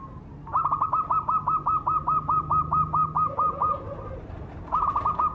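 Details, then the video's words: Zebra dove of the cemani variety. A fast even train of about fifteen short, rising, clipped coos, roughly three per second, with a softer lower series overlapping near the end. A new burst starts after a brief pause. "suara burung berkutut cemani gacor mangung"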